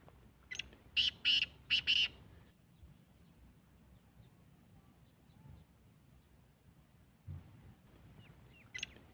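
Black francolin giving a quick run of five loud, harsh, grating notes, then a long quiet stretch with one last rasping note near the end.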